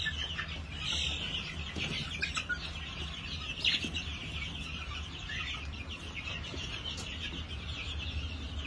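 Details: New Hampshire chickens on a farm on 22 March 2021, giving short scattered clucks and squawks, loudest near the middle, over a steady high hiss and a low continuous hum.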